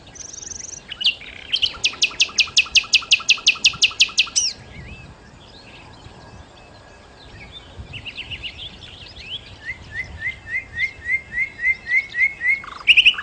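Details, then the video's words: Nightingale, known locally as sikatan londo, singing a fast series of about fifteen identical high ticking notes, then a pause with softer warbles, and finally a rhythmic run of rising slurred whistles repeated around twice per second. "kicau Sikata Londo( Nightingale Birds )"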